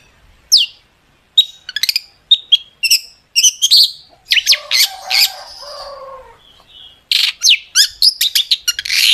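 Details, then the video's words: Long-tailed shrike gacor song with sharp tembakan fill. Spaced high chips and whistles give way to a lower, warbling passage, then a fast closing flurry of shrill notes. "cendet gacor FULL ISIAN TEMBAKAN TAJAM untuk PANCINGAN CENDET AGAR BUNYI"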